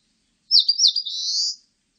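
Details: An Eastern crowned warbler sings a brief high song: a few quick sharp notes, then a long, buzzy, drawn-out note rising slightly, with no other sounds.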